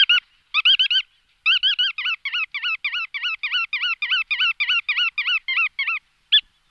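A bar-tailed godwit gives a fast run of nasal, slightly yelping 'kew-ek' notes, about three per second, with brief pauses. No other sounds.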